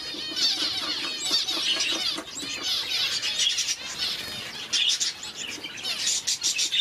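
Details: Parrot finches, red-faced and blue-faced, calling together: a dense, continuous chatter of thin, high twittering and squeaky notes that overlap without pause, with some fluttering.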